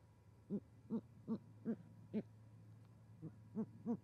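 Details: Great horned owls, a pair bringing prey and mating at an osprey nest in Charlo, Montana, on January 20, 2020, in winter: a quick series of short, low hoots at regular intervals with a brief pause, over a steady low hum.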